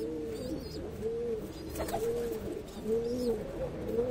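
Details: Pigeon sounds near an ash-coloured baby pigeon: clear low arched coos repeat about once a second over a murmur of other pigeons, with a few faint high squeaks and steady background hum.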